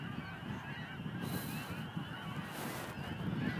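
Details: Large gathering of snow geese by the Montmagny marsh, April 17, 2012, producing a constant wall of overlapping high barking honks above a deep rumbling hum.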